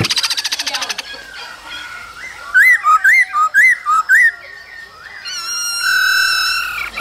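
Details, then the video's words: A male laughingthrush singing and displaying in the cold season with a female calling: a buzzy rattling opening, four loud rising whistled phrases in quick succession, then a long, steady, ringing tone. "Khướu trống hót múa kèm tiếng mái ro"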